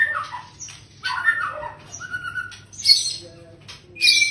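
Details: A long-tailed male (father) white-rumped shama sings rich, varied phrases: fluty whistles, sliding notes and sharp high chips in quick bursts, with a faint low hum behind.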